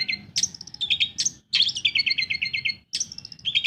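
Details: Long-tailed shrike, lively song meant to trigger silent birds to sing: varied medley of sharp squeaks, buzzy accents and fast rolling trills of evenly repeated notes, with short pauses.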